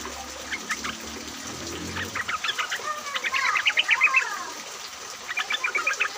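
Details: Yellow-vented bulbuls recorded in rain, used as a lure to make other bulbuls sing: bubbly, chattering notes rising into a dense rapid burst, then quieter quick repeated chips, over low steady background noise.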